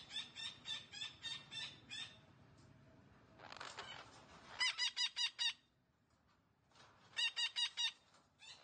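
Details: Green parrot giving talking sounds in repeated bursts of five to eight quick, harsh, harmonic notes, with a noisy scratchy passage between bursts and short pauses separating the series.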